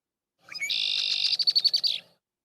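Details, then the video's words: A breeding male and female Red-winged Blackbird duet in a marsh, starting about half a second apart, a pair-bond exchange: the male's buzzy trill overlaps the female's quick, repeated chattering notes. "and when that male and female red wing blackbird are duetting they are saying to one another i love you"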